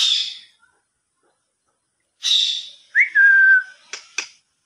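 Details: Pet Indian ringneck parakeet, a talking parrot, gives two loud harsh screeches, then a clear whistle that rises and levels off, and finally two short sharp clicks.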